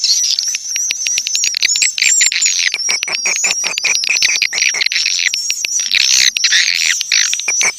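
Swiftlets chitter in a dense, unbroken stream of high, thin twitters and sharp clicks, many voices overlapping with no pause.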